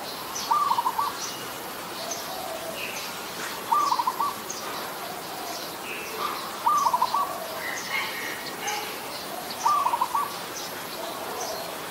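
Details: Adult zebra dove in Ubon Ratchathani, Thailand, on 28 December 2020, giving short trilling coo phrases of quick stuttering notes, repeated about every three seconds, four phrases in all, over a background of faint chirping birds.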